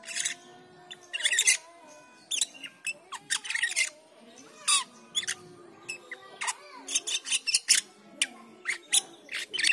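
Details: Black-winged myna producing dense, rapid chattering used as a training lure for cucak keling: harsh scratchy bursts and squeaks tumbling one after another, mixed with wavering mid-pitched whistles, almost without pause.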